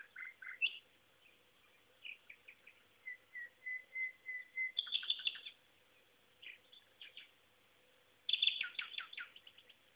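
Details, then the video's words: Common nightingale singing one afternoon near Szentsimon, Hungary, recorded on a phone: swelling rows of pure whistled notes, then rich rattling trills and chattering bursts, over a faint steady hum. "Nightingale (Luscinia megarhynchos) voice - Fülemüle hang"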